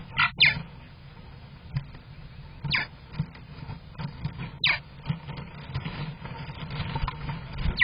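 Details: Purple martins at nest #11 of a monitored colony on May 27, 2023: sharp descending chirps, some doubled, spaced irregularly over a steady low hum from the nest camera.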